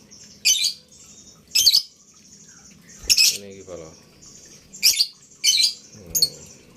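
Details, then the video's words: Collared kingfisher, a captive breeding candidate in Malang, repeats short, harsh, high chattering bursts spaced roughly a second apart, with a man talking quietly in between and a faint steady hum behind. "CALON INDUKAN LABET"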